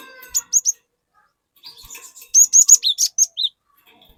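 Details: Cinereous tit (glatik), a bird in full song used to coax untrained glatik into singing loudly; three high whistled notes, a pause with faint twitters, then a quick run of sharp whistles followed by two lower slurred notes.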